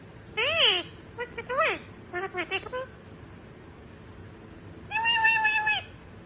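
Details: A yellow pet cockatiel (Nymphicus hollandicus) mimics human speech, saying something like "hey, where you doing", in bursts of squeaky, speech-like syllables, ending with a drawn-out, nasal, rasping note.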